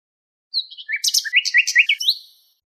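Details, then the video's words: Nightingale song phrase opening with a thin high whistle, followed by a quick run of repeated rising notes mixed with harsh buzzy bursts, ending on an upward slur. "شريط تغريد عندليب"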